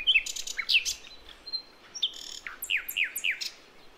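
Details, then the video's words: Wild bird of Javanese and Acehnese forest, used to attract young birds: quick series of bright falling whistled notes, with short chirps early on and a run of four descending slurs near the end. "Nightingale Bird Singing - Suara Kicau Burung Sikatan Londo Kipas Rimba Emas"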